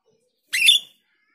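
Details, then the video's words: A single short, loud, rasping call from a female grosbeak starling played as a lure, about half a second long, on an otherwise silent background. "Pancingan jalak rio betina"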